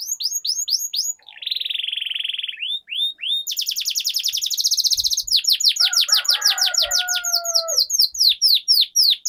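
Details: Canary singing long rolls, a master recording meant to prompt silent canaries into song; sweeping falling notes, a sustained buzzy trill, rapid chip series, with a second, lower whistled voice briefly overlapping midway.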